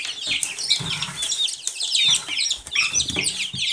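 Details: Silkie chicks calling in a crowd, a busy stream of piercing falling peeps, some sharper whistled notes standing out, over scuffling and soft bumps.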